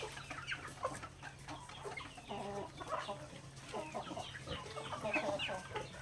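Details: Flock of native chickens feeding on grain in a backyard: busy low clucking and brief nasal notes overlapping, a few longer drawn calls midway, with pecking taps and background hum.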